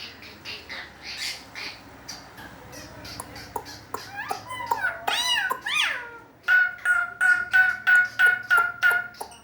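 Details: An Asian pied starling that can mimic other animals produces a mixed sequence: scattered chips, mewing rising-and-falling notes, then a steady row of loud, nasal repeated notes.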